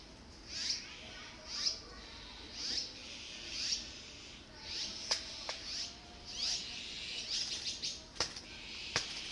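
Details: Nestling azure-winged magpies, near fledging, beg as parents bring food after a long absence: sharp high squeaks in a loose series roughly once a second, with a few clicks and knocks between calls.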